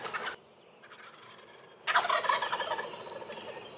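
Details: Wild turkey in early spring in Rhode Island, a brief loud burst at the start, a quiet pause, then a long broadband rattling gobble with fast irregular pulses fading out.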